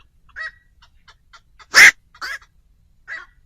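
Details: Black-crowned night heron call, a lure for night bird trapping at Tet: one loud, harsh, abrupt squawk framed by softer, nasal croaks before and after.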